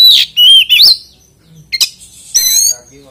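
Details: Kacer, the oriental magpie-robin, giving a lure song to set other magpie-robins singing: a few loud, clear whistled phrases with swooping pitch, then a brief pause and a sharp rising note.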